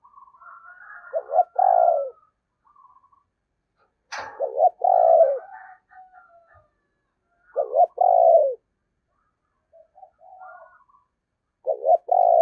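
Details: Decoy spotted dove cooing in the 'giọng thổ' manner. Four phrases come roughly every three to four seconds, each a short stutter then a long, mellow, falling coo. Faint soft coos sound between phrases, and a sharp click is heard once.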